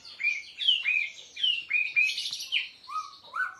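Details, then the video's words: White-rumped Shama, seven months old, singing while performing a bowing display: a quick series of clear whistled notes, some sliding down and some rising, repeated about every half second, ending with lower rising whistles. "Murai Aceh # SMBF kapal layar 7 bulan - main sujud"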